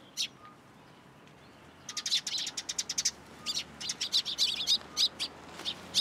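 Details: Several sparrows fly onto a person's hand for food at a Tenmangu shrine, April 14, 2023. After a single chirp comes a second of quiet, then a busy, uneven stream of sharp high tweets, roughly three per second.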